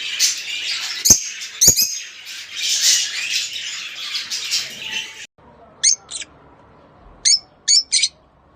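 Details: Mating chatter from rosy-faced and Fischer's lovebirds, meant to prompt breeding: dense shrill twittering for five seconds, then isolated sharp, high chirps separated by quiet.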